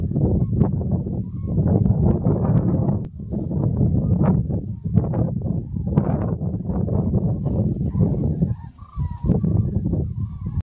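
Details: Common cranes at Gallocanta give loud, rolling trumpeting calls from many birds at once, overlapping without pause, over a heavy low rumble of wind.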